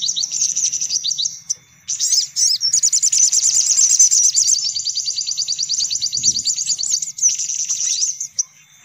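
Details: Lure sound to bring in sunbirds: shrill chirps leading into a long, fast, rattling trill of high descending notes, about three per second, with a single soft thud.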